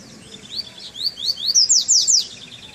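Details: High, bright Treme Terra phrase from a double-collared seedeater leaving moult, taken out for the first time in the cold: upward slurs accelerating into steep descending notes, about seven in a row.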